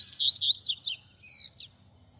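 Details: Double-collared seedeater singing a Tui Tui Zel Zel style teaching song for young birds: clear whistled notes, then quick sweeping buzzy slurs and a short burst, all high-pitched, about one and a half seconds long, with a quiet low background hum.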